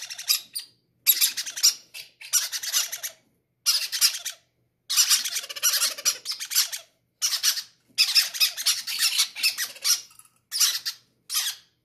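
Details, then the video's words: Healthy, greedy baby parrots begging to be fed first; near-continuous run of rasping, pulsed squawks in short bursts with small gaps, several chicks calling indoors. "greedy baby parrots say i want to be the first to eat"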